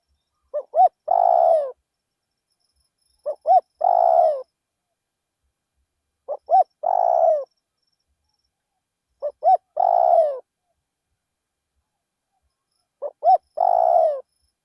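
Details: Decoy spotted dove calling repeatedly in a rice field. Five phrases arrive about every three seconds. Each has two short notes, then a lengthy rolling coo. Calm, otherwise silent setting.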